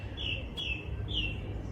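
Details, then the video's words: Song thrush singing intensely at an allotment in South Wales in June 2025: three clear, whistled phrases at even pitch, repeated about every half second. A low steady rumble of background noise runs beneath. "Can you hear that song thrush? Going mad."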